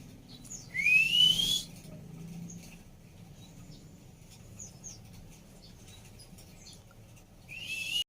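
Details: Female Oriental magpie-robin whistling, used to prompt a bird that has stopped singing: one clear upward-sliding whistle with a harsh rasping burst near the start, then near-quiet with faint high notes and another rasp at the end.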